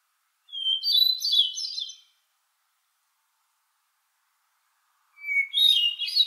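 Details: Hermit thrush singing in June in a far northern forest understory: a clear held whistled opening note followed by a rapid, ethereal flurry of higher fluting tones, two phrases separated by a long silent pause, no other sounds.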